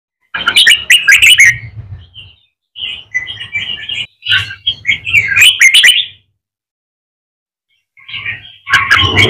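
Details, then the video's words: A captive wild-caught red-whiskered bulbul, being trained to sing double-voiced competition song, gives bright, bubbly whistled phrases in bursts of two or three seconds, separated by short pauses, with a faint low hum beneath. "chào mào bổi hót giọng kép"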